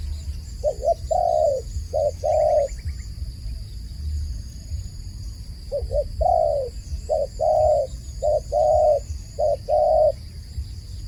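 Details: Dove calling repeatedly, a pattern of short clipped coos and longer drawn-out hollow notes, in two bursts separated by a pause, with a constant high-pitched whine and low background rumble throughout.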